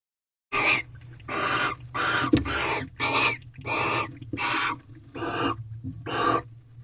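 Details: Barn owls in an owl box in Corral, 19 February 2023, around 10:30 pm. A male has brought a rodent gift and the female is eating it. Harsh, hissing screeches, about nine in quick succession, each under half a second, over a low steady hum.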